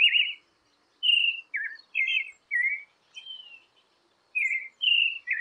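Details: Creamy-bellied thrush song for warming up captive birds: varied warbled and whistled phrases with uneven pauses between them, clean and free of background noise.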